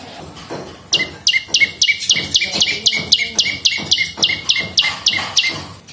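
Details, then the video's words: Prenjak lumut prinia in vigorous song, used as a lure and master recording: after a quiet start, rapid high chirps repeat almost four per second, each a steep descending note ending in a short lower tone. "SUARA BURUNG PRENJAK LUMUT GACOR !! PANCINGAN BUNYI"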